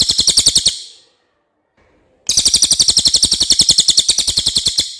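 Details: Common iora giving a clear song, recorded as a training model for songbirds: rapid, even series of high, buzzy chattering notes, about eight per second, broken by a second-long silence before the trill resumes.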